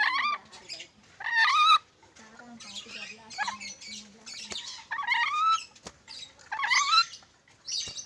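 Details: Black-capped lory giving loud, harsh harmonic squawks in bursts of about half a second, some bending upward, separated by quieter gaps, with a low steady hum running beneath the middle section.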